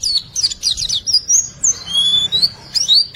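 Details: White-eye singing riwikan-style to prompt silent birds to sing: a quick cluster of high chirps gives way to drawn-out thin whistles gliding up and down, with a sharp twitter at the end.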